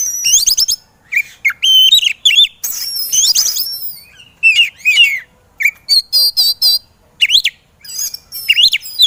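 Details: Training song of a white-rumped shama used to encourage sluggish birds to sing: ringing whistled notes, fast twittering trills and harsh bursts alternating in lively phrases.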